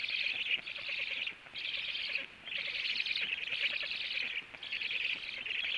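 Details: Black stork at its nest in the evening, the male back home, feeding and moving to the upper branch; loud, scratchy high-pitched bursts of about a second, separated by short gaps, over soft rural background noise.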